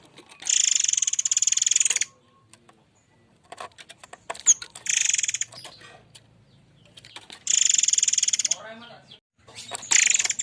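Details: Forktail used as a lure, singing the rough 'shooting' style: long harsh buzzing rattles of about one and a half seconds, separated by short gaps with scattered clicks and a brief lower chattering note.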